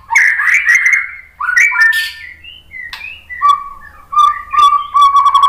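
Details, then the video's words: White-rumped shama singing to stimulate other shamas: fluty warbled phrases and short scratchy bursts, followed by a series of clear, level whistled notes repeated about once a second. "suara MURAI BATU Untuk Memancing BUNYI biar ikut GACOR NGEPLONG"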